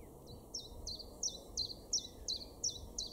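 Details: Common Chiffchaff singing in a garden in Weener, East Frisia, far northwestern Germany, May 2022: a steady run of short, high, downslurred notes, about three per second, evenly paced, over a low background rumble.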